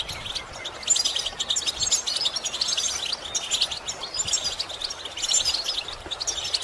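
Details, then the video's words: Goldfinches and other songbirds give fast, continuous high twittering and tinkling chirps, several apparently singing together without pause; the chirping is meant to stimulate goldfinches to sing. "Bird chirping stimulates goldfinches and songbirds"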